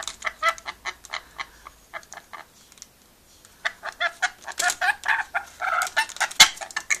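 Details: Pet rainbow lorikeet having fun chatting and laughing: fast runs of short scratchy chattering notes, pausing briefly midway, then louder and denser squawky bursts.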